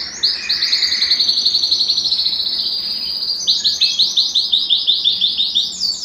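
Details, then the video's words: ['Belgian canary performing song to warm up males and bring females into breeding condition: a sustained, rolling high trill lasting several seconds, shifting into loud, evenly pulsed repeated notes.'] "Canto Para Esquentar Canário Belga e Foguear as Fêmeas"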